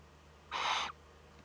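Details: Young Eurasian eagle-owl filmed by a nest camera in northern Rhineland-Palatinate, Germany, on 15 May 2013, during its first contact. A single harsh, breathy hiss lasts under half a second against a quiet background.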